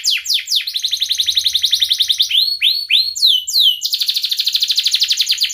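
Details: Young canaries learning to sing hear this song: falling notes lead into a steady fast trill, then curling whistled upslurs, then another rapid, even trill.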